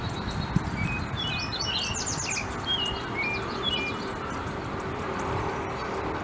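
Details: A group of American Bushtits bathing together give a flurry of thin, high twittering and lisping notes, thick at first and then thinning out, over a steady low rumble of background noise.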